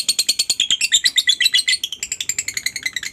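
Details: Lovebird singing in the ngekek style, meant to get other lovebirds to join in: a long run of fast, sharp, chattering high notes repeated about six times a second, steady for three seconds.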